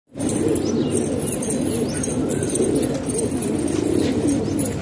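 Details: Kept pigeons in Pakistan, housed indoors as a hobby flock, filling the air with a dense, continuous low cooing chorus of many overlapping birds, soft rolling murmurs with faint clicks and rustles above.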